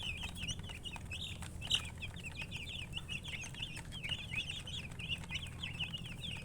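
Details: Young chickens giving quick, high, slurred peeps in a continuous overlapping chorus, one sharp louder note early on, over soft low-pitched background noise.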